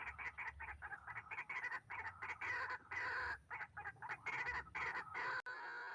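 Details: White-breasted waterhen calling during trapping with a hanging snare, bird described as very fierce: continuous harsh, raspy, croaking bursts in quick succession with brief pauses, a loud click near the end.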